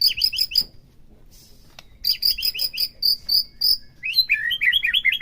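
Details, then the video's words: White-rumped shama, played to trigger a captive bird's song: quick clusters of bright high chirps, a pause, then a series of repeated whistled notes and a final run of descending slurred phrases. "PERANGSANG EMOSI MURAI BATU AGAR CEPET IKUT BONGKAR"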